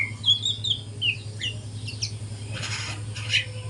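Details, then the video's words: Speckled juvenile white-rumped shama learning to sing in the morning: a few short whistles and slurred notes, then softer scratchy bursts, with a low steady hum throughout. "kicauan murai batu trotol pagi hari"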